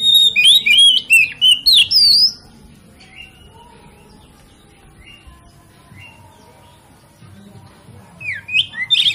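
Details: Oriental magpie-robin (kacer) song used to goad other kacer into singing: a two-second rush of loud, ringing whistles and rising slurs, then a long lull with faint distant whistles, and another loud burst starting at the end.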